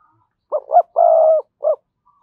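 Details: Spotted dove decoy coo, used to make wild doves answer: two short rising notes, a long steady ringing coo, then a final short note, all clear and mid-pitched.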